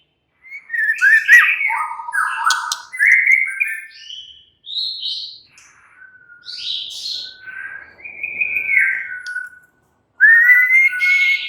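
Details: White-rumped shama (murai batu) singing a relaxed song: a varied run of whistled phrases, slurred notes and rich warbles shifting between low and high pitch, with brief pauses and a clear rising whistle near the end.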